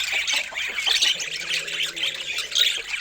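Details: Budgerigars at feeding time with fresh fruit give a busy, scratchy chorus of chirps and harsh squawks that rise and fall in loudness.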